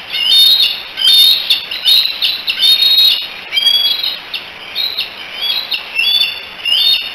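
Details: Bald eagle eaglets, three of them together at the Decorah nest cam, 16 July 2018, likely calling for Mom: loud, high whistled chirps in rapid clusters, each burst followed by short pauses, repeated throughout.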